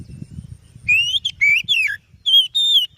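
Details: Kacer, the oriental magpie-robin, singing as a lure for other birds: rich whistled notes sliding up and down, a falling phrase then two long level whistles, with faint low rumbling background noise at the start.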